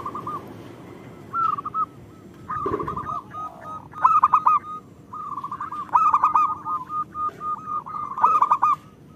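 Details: Caged local zebra dove cooing repeatedly, a recording used as therapy to get doves singing sooner; phrases of short coos end in loud stuttered bursts every two seconds or so, with a brief thump.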